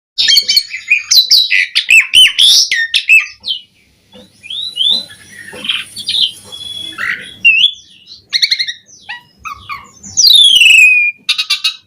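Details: Asian pied starling in full, varied song: rapid run of shrill whistles, squeaky chirps, harsh buzzy notes and sweeping slurs, with brief pauses and a long descending whistle near the end.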